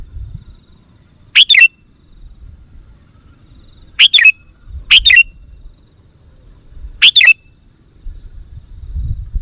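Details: Sooty-headed bulbul lure call used to attract wild bulbuls: four short, clipped chirp bursts spaced irregularly, each a quick liquid note dropping and rising, with near silence between them and a faint high steady tone in the background.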